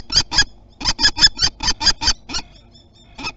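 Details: Territorial common kestrel near its spring nest at Théding, France, 27 April 2021: two sharp scolding notes, a brief gap, then a burst of about eight strident kee calls and one last call after a pause.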